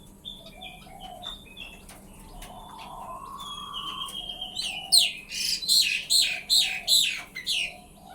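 A male button quail gives a loud series of five or six harsh, high, falling notes about half a second apart, after softer chirps and a faint hum.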